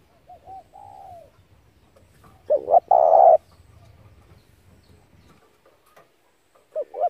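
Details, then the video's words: Spotted dove cooing, used as a trapping lure: soft arched coos at the start, then a loud phrase of two quick short coos and a sustained coo. It is followed by a quiet gap and the start of another phrase. "tiếng chim cu gáy hay kích mồi rút bổi tốc độ cực chuẩn"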